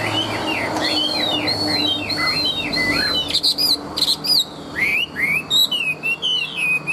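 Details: Chinese hwamei, a tame, large-bodied singer, pours out looping whistled phrases that slide up and down. Later comes a choppy run of sharp, bright notes broken by brief pauses. There is low hum in the background.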